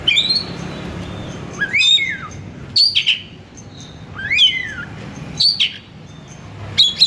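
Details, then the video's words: Singing Oriental magpie-robin (kacer), a recording meant to lure and stimulate a kacer to sing: loud whistled phrases about every second, with descending slurred notes and sharp high chips between quiet gaps. "PANGGIL KACER GACOR BUNYI MEWAH"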